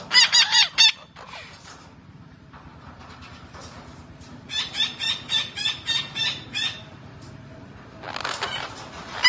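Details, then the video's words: Green parrot giving loud, harsh, nasal squawks: an opening burst, a run of about seven quick, even calls, then a final raspy outburst. "Green parrot talking sounds"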